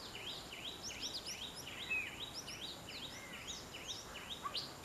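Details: Rapid repeated high chirps from a green bee-eater, each a short rising-falling note in quick succession throughout, with another brief whistled note and constant background hiss.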